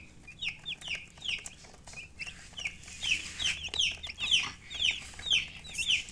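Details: Colored chickens beside a hen give high, downward-slurred chirps, scattered at first and then growing louder and more regular, about two per second, with faint clicking underneath.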